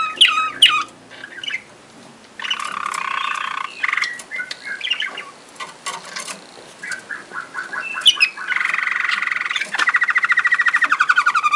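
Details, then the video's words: Waterslager (Malinois) canary in Sakarya, 2011: broken, quieter phrases of chirps and short squeaky notes with pauses, then a steady rapid rolling trill near the end. The room sounds fairly quiet. "watersager malinois"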